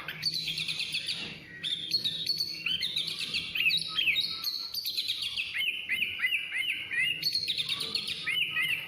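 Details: Oriental magpie-robin (kacer) in continuous lively song: rapid high chirps and scratchy notes leading into a run of repeated clear whistled up-and-down notes, roughly three per second, over a quiet low hum.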